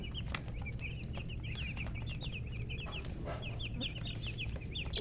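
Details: Chickens with a murgi hen, colour chickens, producing dense runs of short downward-slurred chirps, several birds overlapping almost without pause, over a persistent deep rumble.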